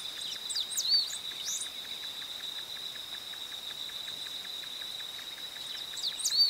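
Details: Cinereous warbling finch song recorded in Ouro Preto, Minas Gerais, Brazil: brief bursts of high, thin, quickly sweeping notes at the start and end, over a steady high insect drone.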